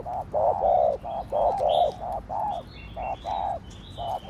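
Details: Spotted dove giving a quick Thổ Đồng style coo series meant to provoke other doves: steady low hollow notes in short groups, roughly one per second, while small birds chirp faintly higher up.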